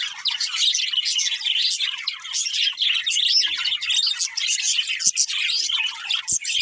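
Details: Constant busy chatter of two budgies, quick shrill chirps blending into a bubbling warble, with a couple of faint clicks near the end.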